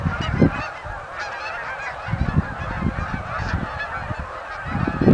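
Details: Canada geese arriving at Oak Hammock Marsh and Fort Whyte: a dense chorus of honking from many birds, with intermittent low thumping rumble, likely wind, underneath.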